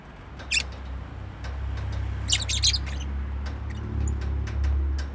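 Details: A pet bird's quick high chirps come singly, then in a fast cluster of several notes near the middle, with clicks and a loud low rumbling hum throughout.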